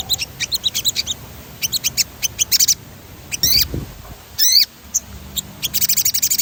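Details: A sogon bird singing in a 'gacor ngerol' rolling style, used as a stimulus recording to provoke other birds into singing. It gives bursts of quick, high chirps and sharp, slurred whistles, broken by short gaps, ending in a buzzy rolling trill.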